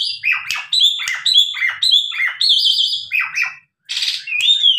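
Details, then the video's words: Tame Asian pied starling singing loudly, used as a lure to make other starlings answer: a varied medley of whistles, harsh chatters and squeaky notes tumbling quickly one after another, with a brief pause. "Jalak suren gacor untuk pancingan,jalak lain langsung nyahut."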